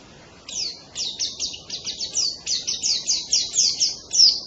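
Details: White-eye (pleci) song made of high, sharp down-slurred notes repeated about every quarter second, ending in a louder burst, against a low background hiss.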